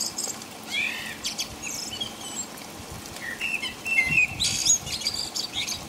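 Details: Night-time song of a common blackbird in the rain, England, around 5 a.m.; softer, somewhat distant warbled whistles and high twittering notes come in loose phrases against a continuous hiss of rain.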